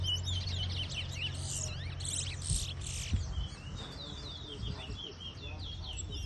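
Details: Two caged towa towa birds competing in a singing race in Berbice, Guyana, songs being counted: quick twittering phrases of sharp whistled notes and buzzy trills, with a low steady hum and people talking and counting numbers.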